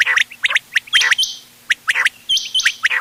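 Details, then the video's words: Quail calls mixed for hunting on 31 October 2025. Quick doubled chirps ring out in short runs, with a few longer, flat, whistled notes and a brief pause midway. "بٹیروں کی مکس آواز quail bird sounds for hunting bater ki awaaz"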